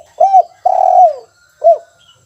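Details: Spotted dove singing actively in a cage, 'kuk 1' style: a short arched coo, a long low coo sliding downward, and after a pause a single clipped closing coo.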